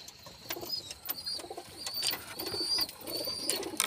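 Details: Pigeons indoors giving a run of short, low, throbbing coo phrases, about four bursts in quick succession, over a constant high electrical-sounding whine and occasional sharp clicks.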